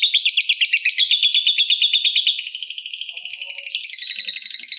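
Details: Lovebird delivering the long 'ngekek' chattering trill used to stir other lovebirds into calling: a fast, even, buzzy rattle of high notes that keeps going, turning slightly faster and shriller toward the end.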